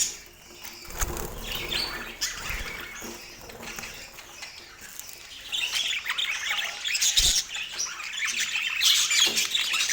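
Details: Pet budgerigars chattering: scattered squawks and chirps that start faint, then turn into a dense, continuous high-pitched twittering and scratchy chatter during the second half.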